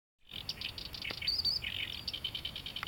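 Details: Black-browed reed warbler singing from reeds along the Eai River, Japan: a fast, high chatter of varied notes with a few slurred whistles mixed in, over faint low background noise.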